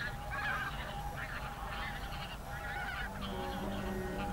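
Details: Evening concert of whooper swans at a national park roost with geese, 7 February 2023: loud, overlapping nasal trumpeting in bursts from many birds, with faint sustained musical tones entering in the last second.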